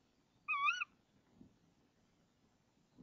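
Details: At 05:28 on 26 March 2014 in a nest box, a female tawny owl, calling for half a minute as the male brings a frog, gives one short, wavering, nasal call, followed by a low rumble and faint knocks.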